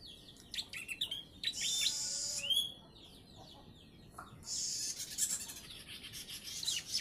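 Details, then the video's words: Bar-winged prinia aged three months, taught ciblek song, giving scattered high chirps, a rising whistle, then long buzzy trilled bursts separated by a short pause. "PRENJAK PAUD USIA 3 BULAN. ISIAN CIBLEK BOSQUE !"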